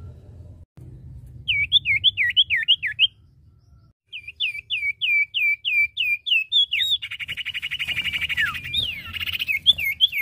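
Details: Male and female iora (cipoh or sirtu) give a string of looping whistles, pause, repeat the series, then break into a long buzzy trill mixed with further whistles.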